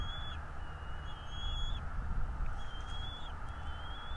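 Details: Bald eagle at a nest cam in North East Florida, morning of 11.02.2022 at 09:55: thin high whistled notes, each slurred and slightly rising, repeated about four times, over steady low rumbling wind or traffic noise.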